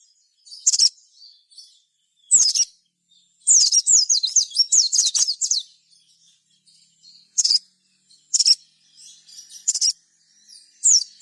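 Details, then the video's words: Crimson sunbird, a lively singer whose song is played to encourage others to sing: sharp high chips at intervals, with a two-second burst of fast squeaky twittering in between. "suara sogon gacor"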